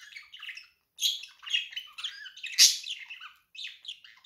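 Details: Pet budgerigar "laughing": bursts of high scratchy chirps and chattering warbles in quick clusters with brief pauses between them.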